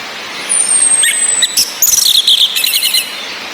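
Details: Female orange-headed thrush giving sharp high ngecis calls, used to stir males that only twitter softly into full song; thin high whistles and quick chirps around half a second apart, over steady rain-like hiss.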